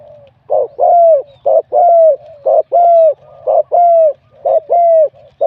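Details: A singing-competition spotted dove, wild-caught, with a medium-to-large voice, repeats five regular phrases about once a second. Each has a rough short note before a long, smooth, slightly descending coo.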